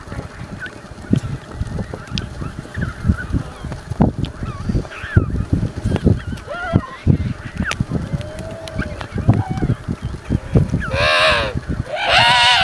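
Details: African penguin giving loud, harsh, donkey-like honking brays with rich stacked harmonics in the last two seconds, after a stretch of scattered clicks, knocks and brief squeaky notes over low rumbling background noise.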